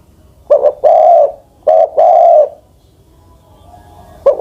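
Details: Spotted dove decoy bird, more than ten years old, delivers two coo phrases, each a short broken note and a longer steady coo, then quiet before a final note begins.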